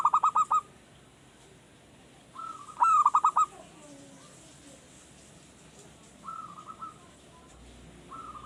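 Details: Captive young zebra dove, newly kept and just beginning to sing often: short bursts of quick cooing notes at the start and middle, with quieter drawn-out coo phrases in between over a low background hiss.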